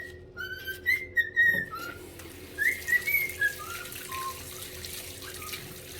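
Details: A pet male cockatiel singing in the morning whistles a run of clear, sliding notes that rise and fall, alongside other birdsong, with running water behind.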